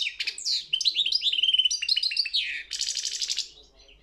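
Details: Singing-competition goldfinch giving a rapid series of downslurred, liquid chirps that run into a dense, buzzy rattling trill before fading at the end.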